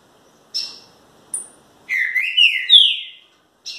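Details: Green-winged Saltator song: two short, sharp high notes followed by a flowing whistled phrase of linked slurs that rise and fall, ending in a falling note and a final sharp chip.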